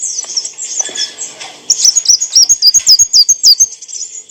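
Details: Olive-backed sunbird (kolibri wulung) song recorded as clear training material for cage birds: a faint, smeared high twitter at first, then from under two seconds a crisp run of sharp, hooked high notes repeated about four per second.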